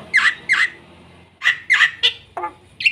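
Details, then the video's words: Black-winged myna in full song used as a lure and tutor for young birds: loud rasping squawks in pairs, a descending harsh note, and a closing whistled squeal. "suara burung jalak putih GACOR ISIAN FULL cepat untuk PANCINGAN dan MASTERAN jalak MUDA agar gacor"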